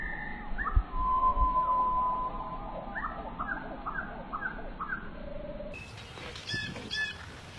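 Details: Bird sound: a long flat whistle followed by a quick series of short, downward-slurred whistled notes, about three each second, then a brief change to scattered high chirps over a low rumble.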